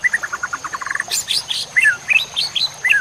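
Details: Masteran of White-rumped shama song for training songbirds: a rapid series of about a dozen quick repeated whistled notes speeding up, then a buzzy burst and bright slurred whistles. A steady high tone persists.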